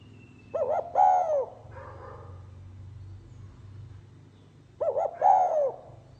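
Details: 'Pha kim' voice of a spotted dove: twin short coos leading into a long falling coo, repeated after about four seconds, with a quieter coo in between and a low background hum.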